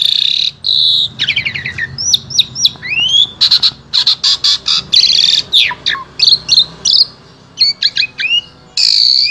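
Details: Asian pied starling in Wonosobo, Indonesia, pouring out a rich, varied song as a vocal tutor for other starlings. Loud buzzy notes alternate with sharp clicks, upswept whistles and quick falling squeaks in a dense, restless sequence.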